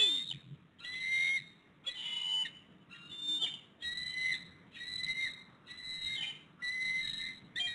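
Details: Bald eagle pair at their nest in Hays, Pittsburgh, on 7 February 2022 at 5 pm, incubating an egg, as the male delivers a fish to the female; high, thin whistled chirps come in bursts about once per second.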